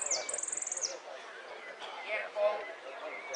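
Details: A saffron finch in a song contest gives a fast, high, rattling trill of about a dozen even notes in under a second, then falls quiet over a murmur of background voices.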